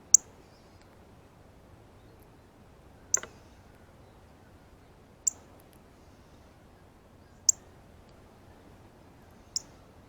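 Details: Northern Cardinal male alone at a feeder, eating seeds off a ripe banana, continuously uttering feeding chirps: five piercing high chips at fairly even two-second intervals against near silence.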